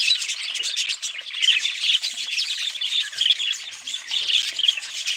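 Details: Chattering budgerigars giving a steady stream of high, buzzy chirps and warbles, with sharper squeaky notes standing out roughly every second.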